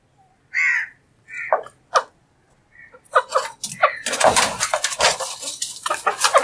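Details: Alexandrine parakeet, a talking parrot, vocalizing while eating: a few short, harsh, nasal calls, then a stretch of rapid, crackling, noisy bursts, with a dry, busy texture throughout.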